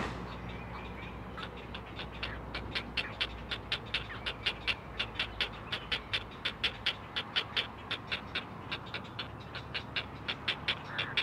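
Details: Four great blue heron chicks on a Chesapeake nest seen by a live camera call to their mother; after a murmuring start, an even, rapid train of clacking notes runs to the end.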